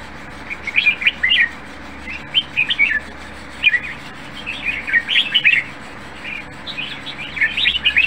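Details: Caged red-whiskered bulbul, a competition-style songbird praised for a fine voice, delivering short bright warbled phrases in bursts about a second apart, with pauses between groups, over a steady low hum.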